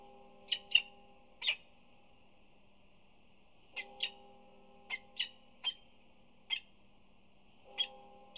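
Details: Peregrine falcon mother at a nest scrape at UC Berkeley on 25 April 2019, chirping to her two newly hatched chicks as she tears prey and feeds them; sharp short chirps come irregularly, roughly once a second, over a low steady hum.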